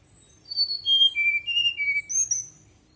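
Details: Fulvous-chested jungle flycatcher singing at night, used as a lure to prompt birds to answer. It gives a clear, sweet whistled phrase of about six notes, stepping down in pitch and then jumping back high. The background is quiet.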